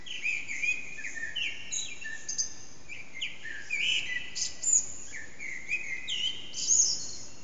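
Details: Dawn song of a Eurasian blackbird, unseen, in an echoing backyard at about 4:30am, captured on an HTC Desire phone; a run of short rich whistled phrases, each ending in a high scratchy flourish, about two every four seconds.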